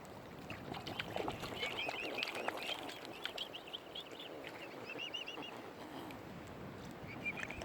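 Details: Mute swan (Cygnus olor) cygnets at Kinnego Bay, Oxford Island Nature Reserve, on the Lough Neagh shore in County Armagh, Northern Ireland, give thin, high, slightly wavering peeps in quick scattered bursts over steady water and wind noise.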